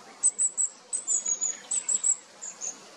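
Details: High, thin, piercing notes from a long-tailed tit, mostly in quick clusters of two or three, repeated steadily for three seconds against a quiet background.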